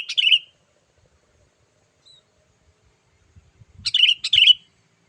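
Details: Sooty-headed bulbul giving its lively call, meant to lure wild bulbuls: one warbling note at the start, silence, then a pair of bubbly slurred notes after soft low knocks and rustles.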